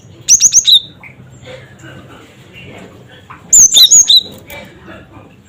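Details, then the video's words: Lure calling by a cinereous tit (gelatik batu): a run of four bright, clipped two-tone notes, a quiet pause with faint chirps, then a longer burst of five or six similar high notes. "Suara Burung Gelatik Batu Cret Cret Wucit"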